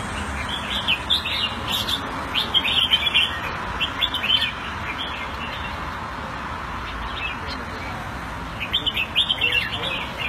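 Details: Red-whiskered bulbul kept in a cage in Singapore, Thai-style keeping, February 2018: short bursts of sharp, chattering high notes separated by quiet pauses, with constant low rumble and hiss underneath.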